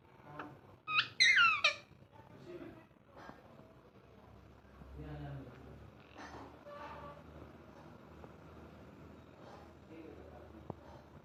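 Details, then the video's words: Ringneck parrot, a talking pet: a short burst of loud, shrill, stuttering squawks early on, followed by quieter chatter and mumbled voice-like sounds. "Ringneck parrot talking and having fun"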